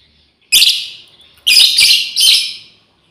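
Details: Calling female lovebird summoning companions gives three loud, shrill, grating chirps, the first alone and the last two close together, each rough and high-pitched, fading at the end; surroundings otherwise silent.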